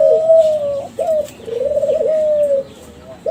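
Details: Young Kelantan-type zebra doves from a champion competition bloodline, kept birds, singing as a lure to make other doves answer; rolling, warbled cooing phrases at mid pitch, two longer trilled runs separated by brief pauses.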